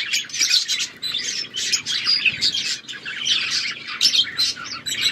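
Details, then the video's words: Chirping budgies in an aviary fill the air with rapid, high twittering and squeaky warbles, many birds calling at once in dense overlapping bursts. "Wild parakeet in aviary budgies chirping"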